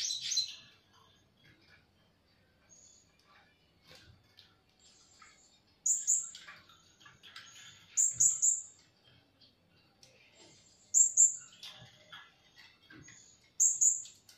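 Blue-crowned hanging parrot giving sharp, very high, squeaky double notes at irregular intervals of two to three seconds, with faint chirps in between.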